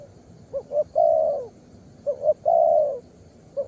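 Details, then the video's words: Young spotted dove calling vigorously: a mid-pitched coo pattern of two short rising notes followed by a long drawn-out hoarse coo, given twice in quick succession over a faint background hiss. "Đồng pha cườm 2dây.Clip444/ Chim tơ có bài, đánh ngay cội quá sung."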